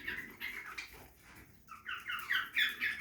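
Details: Feeding budgerigar in a backyard aviary gives soft scratchy chirps, goes quiet for a moment, then breaks into a louder, quick series of bright rising and falling warbled notes.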